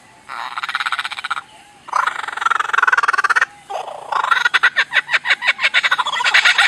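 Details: A bird makes different noises: two long, harsh, buzzing rasps, a short nasal note, then a fast series of loud, clicking, rasping pulses that speeds up toward the end.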